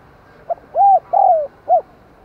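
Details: Spotted dove decoy cooing to lure wild doves, 'đồng còi' voice: a quick short note, a long arched coo, a longer downward-sliding coo, then a final short note, clean and close.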